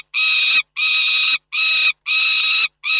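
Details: Peregrine falcons at Reda on 29 June 2024 utter five harsh, rasping calls, each about half a second long and repeated roughly every two-thirds of a second.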